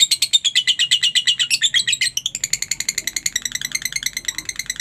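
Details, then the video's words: Lovebird chattering in ngekek fashion, meant to spur other lovebirds to sing: harsh, rapid notes that grow thinner and softer halfway through and continue as a lighter, even ticking series. "masteran suara Lovebird ini mampu membuat Lovebirdmu gacor"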